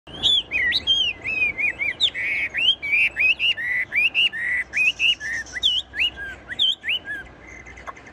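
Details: Tame caged Chinese hwamei that keeps singing even when its cage is shaken, delivering a fast, nonstop run of loud, clear whistled notes. The notes are looping, rising and falling, and each phrase is varied and quickly repeated.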